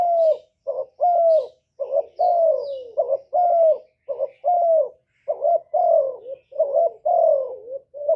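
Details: A Spotted dove coos over and over to encourage kept doves to sing, short clipped notes alternating with longer falling ones in a steady rhythm, while small birds chirp faintly high above.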